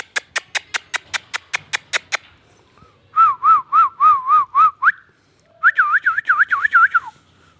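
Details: An Indian ringneck parakeet whistles. About ten sharp rhythmic clicks come first, then a fast warbling whistle with rapid up-and-down trills repeated in two bursts, and a brief quiet pause between them.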